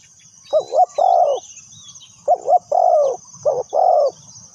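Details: Spotted dove kept as a lure for trapping, three cooing phrases in steady rhythm, each two short quavering notes then a longer mellow coo, over a high insect hum and faint chirps.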